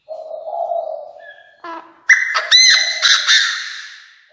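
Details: Decoy Chinese francolin calling its flock: a soft low hum gives way to a sudden loud, rasping burst of quick stuttered notes, strongly harmonic and fading over about two seconds.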